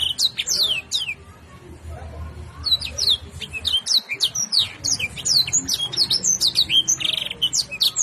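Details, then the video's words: A Belgian canary in lively full song gives a fast, continuous run of high, sweeping whistles and trills, many notes dropping steeply in pitch, over a faint low hum. "kenari gacor full isian"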